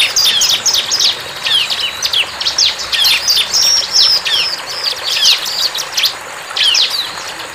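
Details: Wild bar-winged prinia giving busy, high-pitched chattering song. Quick clusters of sharp descending chips are broken by short pauses, with one brief whistled note midway.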